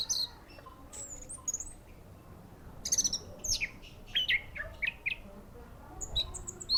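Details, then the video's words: Orange-headed thrush at the Matroji ring giving scattered, varied high notes: sharp chips, short whistles and quick downward slurs spaced irregularly over a faint background hiss. "Anis merah ring matroji mlg, teler mental"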